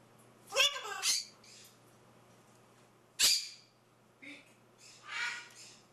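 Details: Indoor macaw chattering in a quiet room: two rasping bursts close together, a sharp shriek about two seconds later, then softer nasal, buzzy notes.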